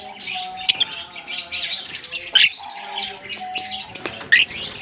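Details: Constant high twittering from an African lovebird colony, broken by three sharp, loud squeals spaced about two seconds apart, with a low steady hum of tonal notes behind.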